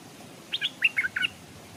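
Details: Stripe-throated bulbul used as a decoy, hung in a cage near a stream; one lively phrase of about five sharp, liquid chirps, steady low background hum.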